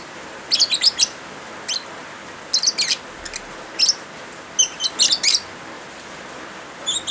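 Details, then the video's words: Lovebirds combined with rainfall as a tutor recording for birds that have gone quiet: lively, sharp chirps in frequent rapid clusters, almost constant, over a smooth wash of rain. "Suara Original Lovebirds kombinasi suara hujan"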